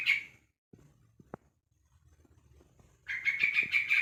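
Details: A one-month-old Yellow-vented Bulbul calling to others of its kind. A brief rasping burst opens, then a quiet gap with soft knocks, then a longer buzzy, stuttering chatter.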